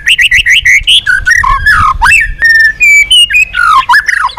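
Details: Female white-rumped shama singing to stimulate the male: loud, rich whistled phrases of rapid rising and falling notes, slurs and trills, delivered almost without pause in many varied voices.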